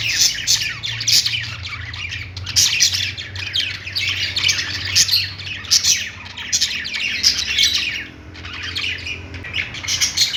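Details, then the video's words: Pet budgies playing keep up continuous overlapping chirps and squeaky squawks, brief lulls between bursts, and a low background hum. "budgies playing sounds | parakeet chirping sounds"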